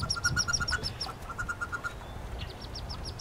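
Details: A brood of nineteen wood duck ducklings plus one hooded merganser hatchling in a nest box, spring 2013. A crisp run of evenly spaced high peeps, about eight per second, followed by a second run and softer calls.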